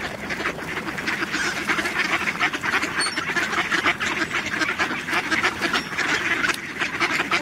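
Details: A busy flock of mallards at Töölönlahti on 18 December 2021 quacks continuously, harsh overlapping calls running together into a steady chatter over a constant background hiss.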